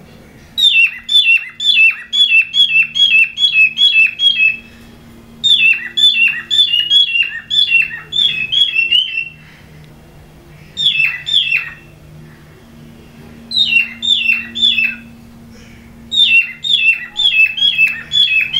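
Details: Cockatiels (Nymphicus hollandicus) mating give bright, rapid chirps in bursts of several notes.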